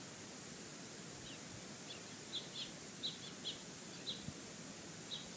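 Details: Bald eagle pair together at their nest at Fraser Point, recorded 9 August 2018: faint, high, thin chirps come in a loose series of short notes roughly every half second. A steady background hiss runs throughout.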